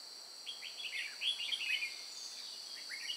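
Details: A dense chatter of quick, slurred whistles from red-whiskered bulbuls during trapping at Chùa Hương on 9 May 2018, notes tumbling rapidly together, with a steady shrill insect drone behind.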